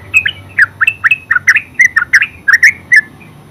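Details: Yellow-vented bulbul in full ngeropel song: dense, lively chatter of short warbled and squawky notes tumbling quickly one after another.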